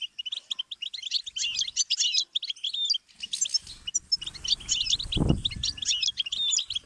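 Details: Goldfinch twittering offered as a learning stimulus: rapid high chirps and trills throughout, with a broad low thump and rumbling background noise in the second half.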